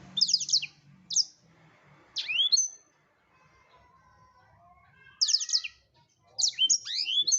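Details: Black-throated canary in full voice, recorded as a tutor for songbirds: short bursts of sharp high twittering and quick downslurred whistles separated by pauses of one to two and a half seconds, with a faint low hum in places.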